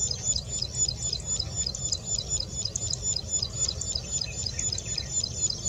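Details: A Plain Prinia recorded on 11 April 2020 sings a fast, high, buzzy phrase repeated about four times a second, over a low background rumble.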